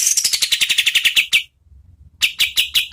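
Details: Medium-speed kapas tembak (oriental white-eye) song for training competition birds: a quick descending run of bright, buzzy chips, a brief gap, then several spaced sharp notes.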